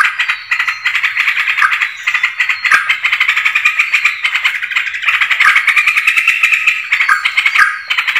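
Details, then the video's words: Yellow-vented bulbul sound used to attract birds: an unbroken, rattling chatter of fast pulsed notes throughout eight seconds, bright and scratchy, with slight swells and dips. "pikat burung trucukan terbaru"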